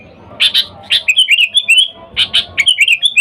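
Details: Sooty-headed bulbul call for drawing in wild bulbuls: paired scratchy chips followed by a liquid, tumbling chatter of quick notes, given twice in succession.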